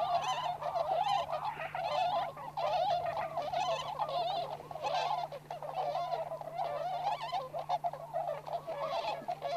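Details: A flock of Tundra swans, including the American subspecies, at a wintering site in Inzai, Chiba, Japan, keeps up a dense chorus of mellow, yelping honks overlapping almost without pause, over a steady low hum.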